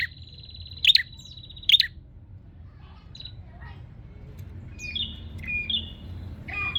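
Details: Bar-winged prinia seeking a rival, starting with a buzzy trill and two loud, sharp chirps, then softer whistled and buzzy notes, over low background noise.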